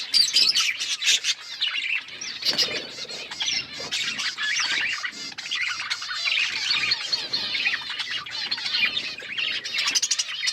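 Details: Flock of budgerigars keeping up constant chirpy chatter, rapid overlapping warbles and scratchy squawks at an even loudness throughout.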